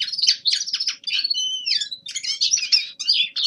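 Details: Warm-up song of a young male common linnet in winter: rapid twittering bursts broken by two sustained pure whistled notes near the middle, then more quick chirpy trills, with a faint steady hum beneath.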